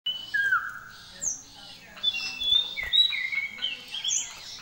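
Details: Common iora singing in full, lively gacor style with varied fill-in phrases of other birds' songs: clear whistled notes at shifting pitches, some sliding down, others high and thin, repeated in quick succession over a faint low hum.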